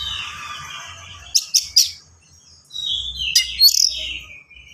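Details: Oriental magpie-robin's fast, dense song with unique fills, played so untrained magpie-robins start singing: three sharp, explosive notes, then a drawn-out slurred whistle and a scratchy rattling phrase over a low hum.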